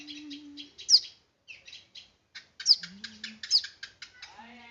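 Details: Chirping of a small bird: short clusters of sharp high tweets and quick downward-sweeping notes, irregularly spaced, with a low steady hum in the background.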